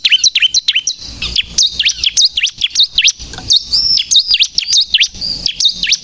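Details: Bar-winged prinia, known locally as ciblek kristal, singing vigorously as a lure to provoke birds: rapid, high V-shaped chirping notes, sharp and scratchy, delivered in quick irregular bursts without pause.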